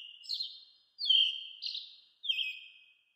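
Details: American robin calling: three sliding whistles, each dropping in pitch and trailing off with a quick warbled end, repeated about every 1.2 seconds in quiet surroundings.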